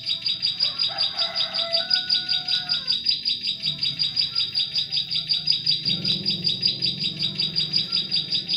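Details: Bar-winged prinia song serving as a lure for trapping prenjak klik in forest: a long even series of high, sharp chirps, with brief lower whistles early and a low rumble later.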